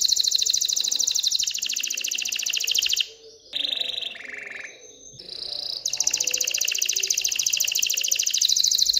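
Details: Canary in breeding excitement, singing to urge hens to pair and nest: long fast trills, interrupted midway by a short pause, a clear pure whistle and a lower rattling phrase, before the high rolling trill returns.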